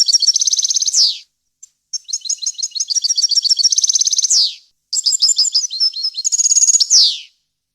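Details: European goldfinch song in a varied wild-style repertoire, a clean recording made for tutoring young birds: high twittering phrases with a rapid buzzy trill, sharp downward slurs closing each burst, and two phrases separated by short pauses.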